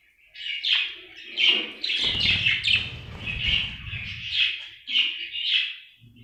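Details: Happy pet budgerigar chirping: a string of short bright warbled chirps about every half second, some rising and some falling, with a low rumbling noise in the middle.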